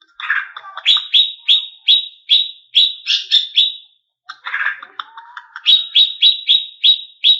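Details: Greater green leafbird used to rouse competition birds: harsh, scratchy churring notes break into strings of bright, sharp downslurred chips repeated steadily, twice over, with a thin rising whistle between.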